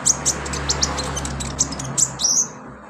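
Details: Olive-backed sunbird (konin) used to trigger singing, delivering quick high chirps in a busy sequence and finishing with a drawn-out high trill over a constant low hum.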